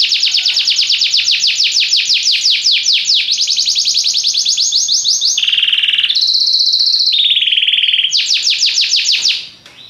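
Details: Belgian canary in full song: rapid rolling trills of short down-slurred notes, broken by steady held tones at two pitches, then a return to fast trilling before fading out.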